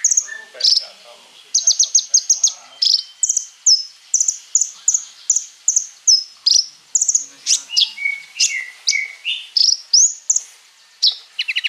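A konin pours out a fast, high-pitched song of sharp chips, thin whistles and buzzy trills in quick bursts, nearly continuous with no other sounds.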